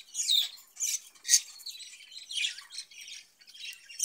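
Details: Cage-kept budgerigars give high, raspy squawks and chirps in irregular bursts of about a second each. The chatter is scratchy and busy, with a few sharper squeaks standing out.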